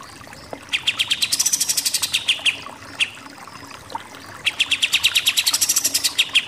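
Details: Shooting-style 'nembak-nembak' song of a pied triller: two bursts of rapid staccato notes overlaid with arching high buzzy phrases, separated by a short break with a single stray note.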